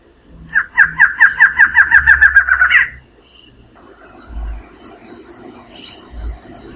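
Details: Barred Antshrike, subspecies difficilis (Thamnophilus doliatus difficilis), from the Brazilian Cerrado. It sings a series of about a dozen nasal, bouncing notes that speed up slightly and end in an abrupt, rising flourish. Quieter background sounds follow.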